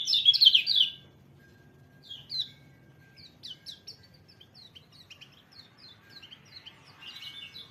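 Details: A white-eye opens with a loud burst of tumbling high chirps, then drops to a sparse string of short, quick twitters spaced across several seconds, ending with another brief jumble of notes.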